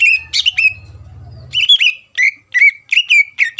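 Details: Caged greater green leafbird singing to provoke a rival: a few whistled notes over a low droning buzz, then a clear run of quick, sliding whistles repeated several times per second.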